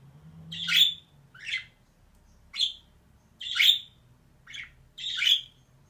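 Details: Female budgerigar producing a series of harsh, raspy chirps of varying loudness, some short and thin, others fuller, spaced irregularly about a second apart; low hum in background.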